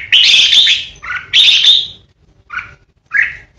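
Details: Red-whiskered bulbul used as a decoy bird, singing ché: two loud harsh rasping bursts, each followed by a lower clear note, then two short separate whistled chirps.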